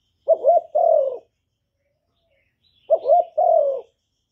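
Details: Spotted dove giving two cooing phrases about two and a half seconds apart, each a quick rising note followed by a longer, steady, slightly falling coo, clear against silence.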